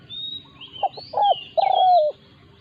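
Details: Spotted dove in a territorial clash between a decoy and a wild resident dove, Thailand. Two quick notes and a short coo, then a long, smoothly falling croon. Higher whistles from other birds run above.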